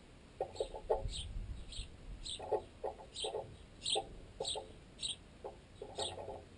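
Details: Sparrows, including fledged juveniles still fed by their parents, feed on a piece of baguette wedged in a tent guy line. Short, high chirps repeat roughly every half second, mixed with loud, knocking pecking sounds.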